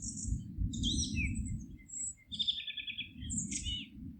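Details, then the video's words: Forest birds chirping and twittering, including a rapid rattling trill in the middle, over a steady low rumble like wind. "Forest relaxing sounds of singing birds"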